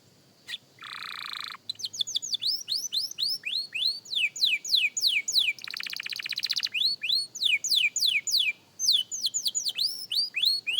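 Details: Beginner canary, a young bird at singing practice, delivers repeated falling whistled notes in quick series, broken by a buzzy trill near the start and a fast rattling roll midway, then more steady downward slurs.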